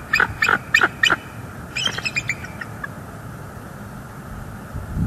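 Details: Wild bald eagle pair calling at a northeast Florida nest on 5 October 2022, seen on a live cam after a juvenile visitor departed: four loud, sharp, descending piping notes, then a softer burst of high chatter, over steady background hiss.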